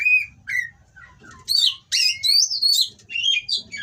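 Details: Mating Oriental magpie-robin singing harsh, rival-provoking song: loud whistled notes at varying pitches, some rising and some falling, strung into quick, irregular phrases, over a faint low background hum.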